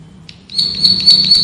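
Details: Male bar-winged prinia (prenjak sawah) singing in the ngebren style, used as a master recording for training songbirds: a brief chip, then a sustained, dense, high buzzing trill with rapid-fire pulses.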